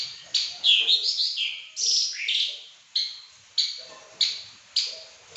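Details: Pekin robin in lively song: an opening run of looping, fluty warbled phrases sliding up and down, followed by crisp high notes repeated roughly every two-thirds of a second.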